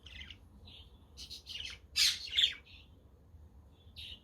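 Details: Budgerigars chattering on a windy, sunny day, with a quaker and a conure also present; rapid scratchy chirps build to two loud harsh squawks, then soft chirps resume.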